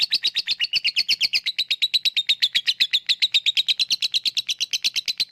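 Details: Lovebird in full ngekek chatter, offered as a lure to stir lazy lovebirds into song: relentless rapid series of shrill, scratchy notes, about seven per second, holding the same loud, even level.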